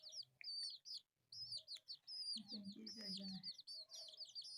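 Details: Four colourful pet chicks at play give a busy stream of high, arched cheeping notes, many overlapping, broken by a short silence near the start; a low murmur rises briefly mid-clip.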